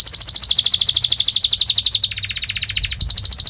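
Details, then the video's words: Canary rolling song, fast and sharp, used to draw young canaries into singing. A long, even, rapid high trill of about three notes per second-tenth, dropping briefly to a lower rattling trill before resuming high. "Kenari gacor Speed Tajam cuit cuit NgeroL | pancingan kenari ini Sukses bikin kenari Ngerol EMOSI"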